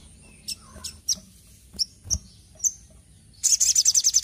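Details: Little spiderhunter (Arachnothera longirostra), song.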